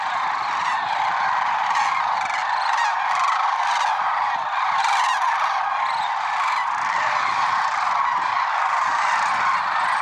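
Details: Lesser sandhill cranes at Merced National Wildlife Refuge on an early February 6, 2023 morning: a dense, continuous chorus of overlapping rolling, honking calls from a large flock, steady throughout with no pauses.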